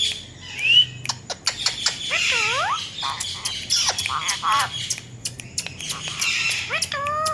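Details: Pet Indian ringneck parakeet talking, said to imitate a cat's voice; scattered sharp squawks and several downward-curving, drawn-out calls over a low background hum.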